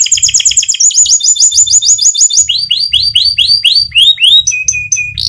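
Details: Rolling song of a fighter canary, used as a master for tutoring other canaries: rapid trilled phrases change every second or so, from quick paired chips to repeated downslurred whistles and a sharp rising note, loud and high-pitched with soft low thumping.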